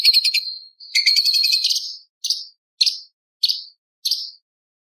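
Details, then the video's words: Light-vented bulbul song with mimicked lovebird, parakeet, prinia and pancawarna sounds: opens with rapid stuttering notes and a long rasping buzz, followed by four separate short high chirps spaced evenly. "CUCAK CUNGKOK ISTIMEWA - TEMBAKAN ISTIMEWA ISIAN LOVBIRD PARKIT CIBLEK PANCAWARNA"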